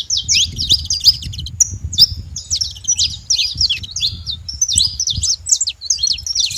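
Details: Saffron finches in a wild flock, bursts of high sharp chirps with one brief thin whistled note, the chatter overlapping among several birds over a noticeable low rumble.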